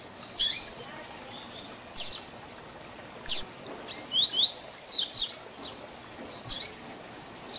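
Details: Double-collared seedeater singing the Tui Tui Zel Zel tutor song: sharp high chips scattered throughout, building to a dense run of bright upslurred whistles near the middle, with later single notes.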